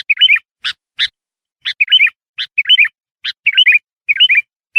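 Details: Sooty-headed bulbul in lively song, played as a lure to call wild bulbuls: short bubbly warbled phrases repeated about once a second, alternating with sharp high chips.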